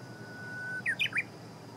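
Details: Japanese bush warbler recorded on the morning of 6 June 2017, around 8 a.m., giving a steady sustained whistle then a brisk phrase of three clear twisting notes, with a continuous hissy background.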